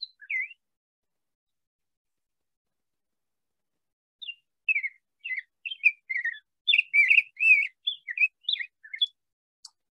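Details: Rose-breasted Grosbeak in central Alabama singing a rich, sweet warble of short whistled notes, robin-like but smoother, run together quickly after one brief opening note.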